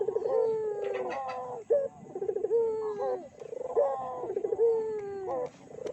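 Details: Barbary dove used as a lure to make other doves call: deep, throaty cooing phrases, a purring roll then drawn-out falling coo, repeated three times in close succession, with nothing else clearly heard.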